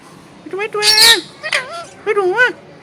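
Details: Green parrot talking: three short voice-like phrases with rising and falling tone, the first with a harsh, noisy burst in the middle, separated by brief pauses.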